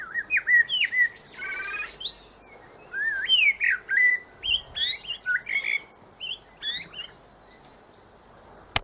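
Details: Common blackbird (Turdus merula) singing short fluty warbled phrases about once a second, some ending in thin squeaky high twitters, then a sharp click. It is a bird heard daily in towns and cities, and each bird's song is its own, built over its life from its parents' elements.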